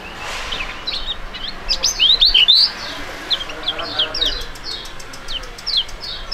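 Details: Young duetting songbirds of fighting type give fast, high, sweeping whistled notes, loudest midway, mixed with many short chirps from other birds in the background.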